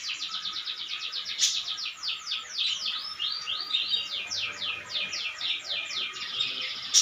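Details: Canary singing nonstop, pouring out varied trills of quick falling and curling whistled notes, the rhythm shifting every second or so, with a couple of sharp clicks.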